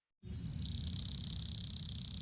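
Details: A Chipping Sparrow gives a dry, high, mechanical trill of very fast, even notes that sounds almost insect-like, over a low background rumble.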